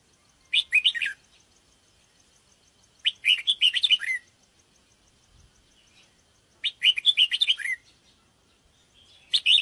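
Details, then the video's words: Bubbly chattering phrases of a sooty-headed bulbul, used as a lure to draw in wild birds, come in three main bursts spaced about three seconds apart, with a fourth starting at the end and a thin steady high tone behind. "PIKAT BURUNG KUTILANG JAMBUL"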